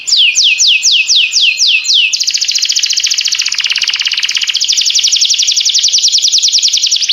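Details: Singing canary delivering about eight high descending swoops, then switching into a long, rapid rattling trill that rolls on for five seconds, loud and clear.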